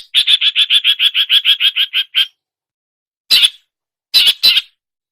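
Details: Long-tailed shrike mimicking other songbirds: a fast rattling series of about thirteen identical harsh notes, then silence and three more loud, grating notes. Nothing else is audible.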